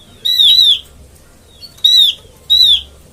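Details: Oriental white-eye call used as a trapping lure: three clear, high, slightly buzzy slurred whistles, each about half a second, falling then rising, repeated roughly every one to one and a half seconds, against quiet background.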